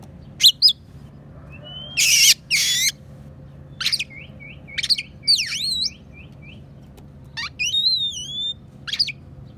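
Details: Caged Oriental magpie-robin of the calm type, its song filled with sparrow and prinia imitations, used as a tutor for songbirds: scattered sharp whistles, upward slurs, buzzy harsh bursts and a row of short rising chirps, separated by pauses.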